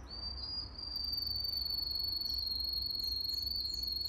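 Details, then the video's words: Canary song used for training young canaries, held by breeders: a long, steady, high whistled tone with a fast buzzing flutter, and faint quick notes above it, sung without pause over a low background hum. "Most powerful song for training Canary"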